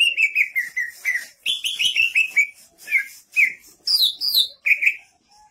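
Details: Greater green leafbird (cucak ijo) singing in lively 'gacor' style with rising 'nanjak' vocals: rapid runs of bright whistled notes, repeated slurred phrases climbing higher toward the end, with short pauses between bursts.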